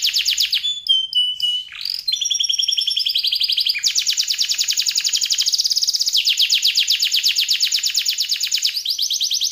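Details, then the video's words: Canary in full song with a luxurious, long-running song fill: high whistled notes and slides, then fast buzzy trills repeating several times a second, broken by brief pitch changes. "Kenari Gacor Isian Lagu Mewah, Durasi Panjang"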